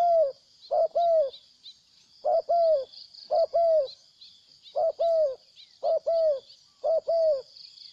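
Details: Wild spotted dove in Cambodia, visiting and then leaving, giving loud repeated cooing phrases: a short double coo followed by a longer falling coo, about every one to one and a half seconds, over a steady high insect buzz.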